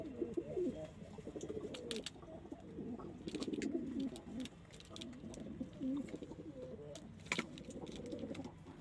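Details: Several kept pigeons of local, Indian, Chinese and homing types coo in overlapping low, rolling phrases that swell and fade, broken by sharp knocks and rustling.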